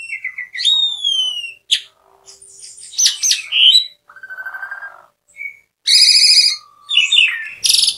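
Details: Asian pied starling singing in varied phrases: descending harmonic whistles, a sharp click, dense buzzy bursts, a low rasping stretch, then loud nasal harmonic notes and squeaky chirps.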